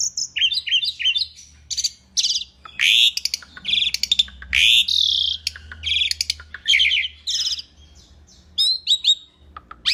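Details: Asian pied starling in full, lively song, a training recording: harsh buzzy phrases alternate with bright whistled slurs and rapid chattering notes, with a short pause near the end.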